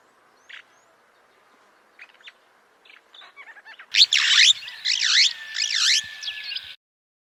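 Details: White-crowned starling, common near homes: a few soft scattered notes, then loud ringing whistled calls sweeping down and up in V-shaped phrases, repeated for about three seconds before stopping.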